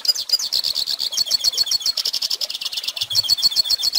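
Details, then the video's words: Goldfinch singing to teach young birds, with fast repeated high chirps and trills forming a lively pulsing twitter, some notes sharply whistled. "Pintassilgo Cantando Ensine Filhotes!!!"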